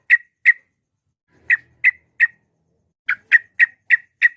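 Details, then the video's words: Yellow-vented bulbul voicing calls meant to draw rivals into responding: clusters of sharp, burry single notes, first two, then three, then a faster run of six, in an otherwise quiet setting. "trucuk gacor ampuh memancing lawan nyaut emosi"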